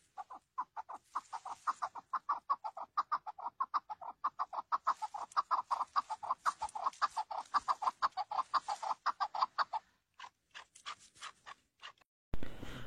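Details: Partridge recorded among oak trees, autumn oak leaves covering the ground, its voice called very beautiful; a rapid, sustained series of short chuckling notes, accelerating and steady for about ten seconds, then a few spaced notes before a loud noise.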